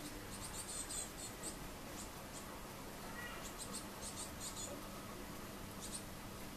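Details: Young great tits, 8 June 2018, begging repeatedly for food: bursts of thin high squeaks in small groups, then a pause and a few more toward the end, with a low steady hum beneath.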